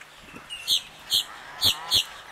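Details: Black-bellied whistling ducks, a mother with eight young, diving, preening and bathing in water on a cool January 2023 afternoon; four clear high whistled notes in two pairs over about two seconds, with faint splashing.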